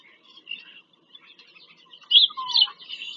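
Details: Bald eagles on a Pennsylvania farm-country nest, caught by a live nest camera on 5 February 2023. Soft, scattered squeaks build into two loud, piercing chitters near the end, one with a lower whistled slur.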